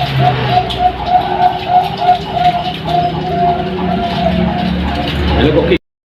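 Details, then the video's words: Bangkok-type zebra dove song played as a lure for competition birds: soft, mellow cooing notes in repeated rhythmic phrases over a steady low rumble of traffic-like noise. "pancingan perkutut bangkok. suara merdu istimewa ampuh buat kutut lomba"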